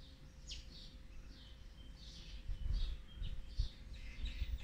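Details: Feeding of olive-backed sunbird nestlings, fourth brood, day 18, recorded 8 March 2020; series of high thin chirps, some sharply falling, with low rumbling noise growing louder midway.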